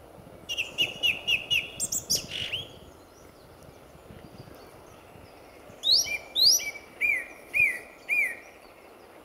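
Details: At dawn in February 2014, a lively male song thrush sings at RSPB Fowlmere: a quick run of repeated whistled notes, a short gap, then a louder phrase of five or six ringing whistles repeated in turn.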